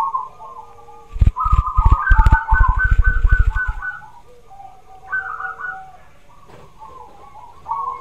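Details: Zebra dove song for stimulating a quiet bird: rolling trilled coo phrases, overlaid early on by a series of loud low thumps or knocks, then softer coo bursts returning near the end.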